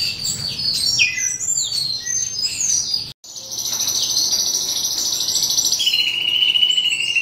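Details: Asian pied starling song, possibly mimicking, a rapid jumble of high chirps and slurred whistles, then a long sustained buzzy trill, over soft background rustle.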